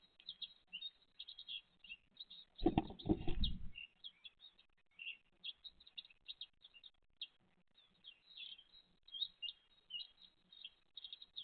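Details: A great tit mother and her chicks, recorded 29 April 2023, give rapid high squeaky chirps in irregular bursts throughout. One loud rustling thump is heard early on.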